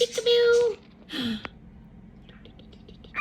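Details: Pet cockatiel indoors playing a game of peekaboo, giving a clear steady whistled note with harmonics, then a short breathy vocal sound, followed by quieter faint chirps in a small room.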